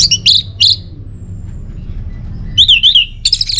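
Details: Orange-headed thrush song for caged-bird tutoring: loud buzzy double notes, a brief pause, then a wavering warbled whistle and more rapid buzzy notes.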